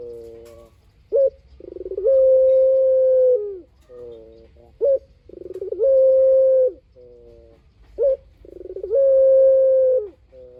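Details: Spotted dove coo used as a lure recording to draw other doves into calling back: a short note, a brief pause, then a long, steady, mellow coo, the phrase repeated about every three and a half seconds against a quiet background.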